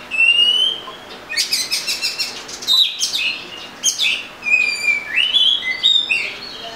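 Oriental magpie-robin singing a varied, loud run of clear whistles, sweeping slurs and quick buzzy chatters, phrases tumbling one after another at high pitch.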